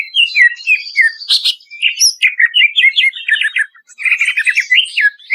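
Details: Greater green leafbird lure song: dense, lively chatter of slurred whistles and clipped chips. The phrases pause briefly, then resume in a fast warbling run.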